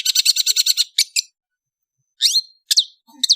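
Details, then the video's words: Brief afternoon phrase from an Indonesian long-tailed bird: a quick rattle of eight buzzy chips, two single notes, silence, then a few harsh downslurred calls. "BEAUTIFUL AFTERNOON WITH THE SOUND OF INDONESIAN LONG TAILED BIRDS"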